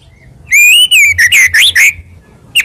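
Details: Clear fluting whistles of a white-rumped shama, played to stir rival birds into answering: one long arched note followed by several quick rising and falling whistled slurs.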